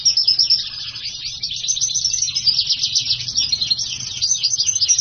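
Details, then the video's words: Siskin and house finch hybrid in continuous lively song. It keeps up a fast, jumbled high-pitched twitter of chirps, trills and short buzzes, opening with loud bursts and flowing on without pause. "HYBRID silangan black hooded siskin x house finch gacor full 2jam lebih"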